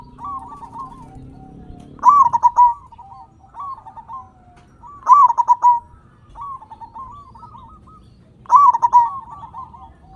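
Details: Loud-voiced local zebra dove kept to draw other doves into song, giving three emphatic rolling coos about three seconds apart, softer fluttering coos in the gaps, and a low hum at the start.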